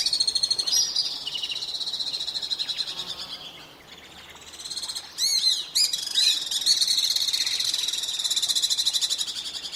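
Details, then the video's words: Common swifts producing rapid pulsed screeching trills that dip in the middle, with a few sharp, higher notes, over a background of outdoor hiss. "Стриж. Обыкновенные стрижи. Голоса птиц"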